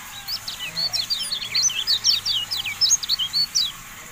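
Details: Javan white-eye (kecial kuning) singing a masteran tutoring recording for caged birds: a rapid, high twittering run of thin, sharply slurred notes that bounce up and down without a pause for about four seconds over a faint low hum.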